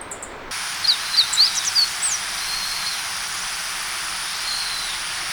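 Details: Meadow bunting spring-to-early-summer song: a quick phrase of about eight high, thin, sliding notes lasting just over a second, over steady hiss.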